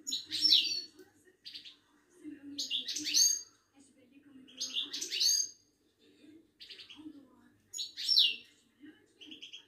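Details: Moroccan Widani European goldfinch (meknine), a caged songbird at a Casablanca bird market. It gives short bursts of bright, liquid twitters and tinkling notes, separated by pauses, with faint low murmuring underneath.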